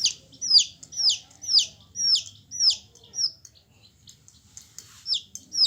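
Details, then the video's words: A single yellow hen chick peeps loudly, each call a sharp, high note dropping in pitch, about two per second, with a short pause near the middle before the calls resume. "Hen Chicks Colour full Yellow Baby Of hen Chirping Sounds"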